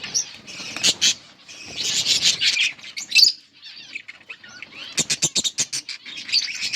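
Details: Budgerigar parents feeding their chicks: short scratchy chirps and sharp clicks in uneven bursts, including a quick run of about eight clicks near five seconds, between quieter warbling notes.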